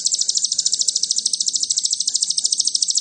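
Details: Sogon singing a lure song meant to provoke other birds, delivered in the cililin style: a fast, steady trill of high, sharp notes, about three per second, running unbroken with faint low background noise.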